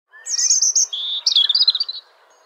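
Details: A wild robin sitting in a tree gives a quick run of high, thin, warbled chirps lasting under two seconds, shifting in pitch from phrase to phrase against a quiet background.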